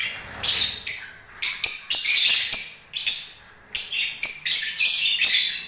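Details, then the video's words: Breeding-season lovebirds giving quick series of piercing chirps and squeaks in short clustered bursts, separated by brief quiet moments. "Love birds singing and movements"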